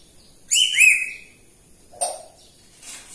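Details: Pet grey parrot in morning mood: a short whistled note with a quick upward flick, then a brief clicking, knock-like sound and a faint hiss afterward.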